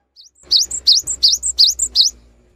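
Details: Cinereous tit singing prolifically, played to coax quiet birds into song: a brisk run of six high, upward-sweeping whistled phrases, each ending in a short thin note, delivered in about two seconds.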